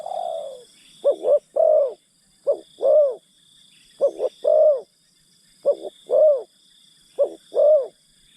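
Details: Decoy spotted dove enticing forest birds: mellow repeated coo phrases, two quick notes leading into a drawn-out falling note, about six phrases, over a persistent high insect drone.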